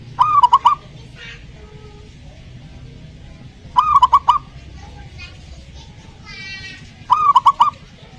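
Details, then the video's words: Zebra dove song used to coax a silent dove into song: a crisp phrase of clipped coos with loud clicks, repeated three times about every three and a half seconds, with faint buzzy sounds between phrases. "pancingan perkutut malas bunyi"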